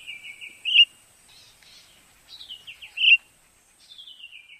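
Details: Common starling song, with a wavering whistled note, a sharp bright chirp, a buzzy descending phrase, another chirp, and a falling trilled whistle at the end, heard over a quiet background.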